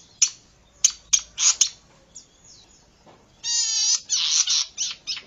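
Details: Zitting cisticola on a lure and training recording. Several sharp isolated ticks and short rasps lead into a long buzzy note followed by shorter harsh chatter bursts.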